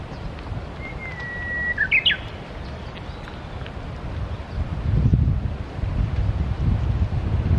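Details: Japanese bush warbler, wild, singing along the Tsurumi River: one long steady whistled note, then a fast flourish of two or three sharp slurred notes; afterwards strong wind gusts and rumbling noise.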